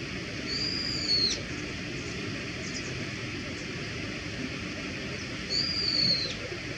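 A Brown-eared Bulbul gives two loud, shrill, drawn-out whistled calls about five seconds apart, each falling away at the end, over a steady low background hum.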